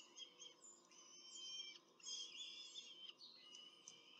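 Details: At a Rome nest on 21 April 2024, a peregrine falcon pair briefly feeds their two chicks. Shrill, squealing, whiny notes come in overlapping sustained bursts, loudest around the middle, with short pauses between.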